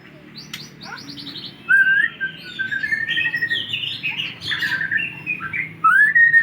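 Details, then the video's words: White-rumped shama from Aceh singing, recorded 24 December 2022: a varied run of clear whistles, rapid trills and upward-sweeping notes over a steady low hum. "Burung Murai Batu Aceh"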